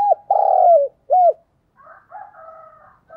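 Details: Spotted dove used as a decoy to lure wild doves, 'giọng thổ' voice, cooing loudly: a short note, a long throaty falling coo, then another falling coo. A softer, flatter cooing follows in the background.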